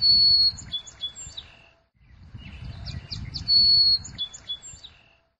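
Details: American tree sparrow singing in St-Sixte village, Petite-Nation, Outaouais (Ottawa region): two high, sweet songs, a long clear whistle then quick tumbling notes, over a faint low rumble.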